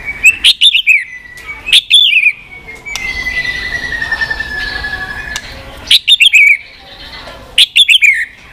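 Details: White-rumped shama, a continuous-clicking recording to fire up weak shamas; short bursts of clicks and whistled slurs repeated every few seconds, with a long steady whistled tone sliding slowly down between them.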